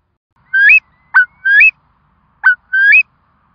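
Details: Curlew calling around the time four chicks hatched, in Curlew Country: sharp downslurred notes alternate with longer whistles that bend upward, about one call a second, clean and close with no other sounds.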